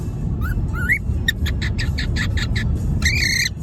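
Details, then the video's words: Pet bird at home singing: short rising whistled notes, then a rapid run of clipped harmonic chirps and a final buzzy, drawn-out note, over a steady low rumble. "Our bird is singing"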